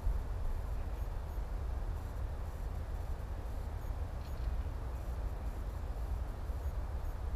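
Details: Steady low rumble of distant traffic and wind across an open field, with no clear animal calls.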